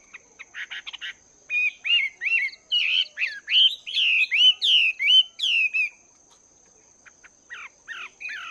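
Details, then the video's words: Chinese hwamei held two months in a cage, exercising its voice in the morning: quick clipped notes leading into a loud series of rich descending whistles, about two per second, then soft short phrases. "Chim Hoạ Mi Mộc VIP 2 Tháng Lồng Luyện Giọng"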